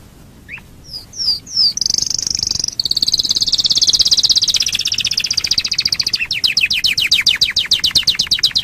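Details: Domestic canary singing to lure other canaries: a few separate upslurred whistles, then a dense buzzing trill that breaks into a fast series of sharp repeated chirps.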